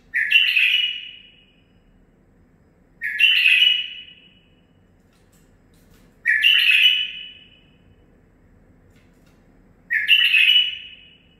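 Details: Young male bulbul, nine months old and bred in captivity, repeating a short bright warbling phrase about every three seconds, each burst rich and slightly descending, with near silence between.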